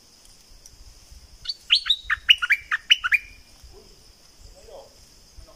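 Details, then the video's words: A southern Thai bulbul sings a brisk string of about eight bright, falling whistled notes over faint low background rumble and a steady high hiss. "เสียงนกดอกแตงภาคใต้ สายเบิ้ล!!!"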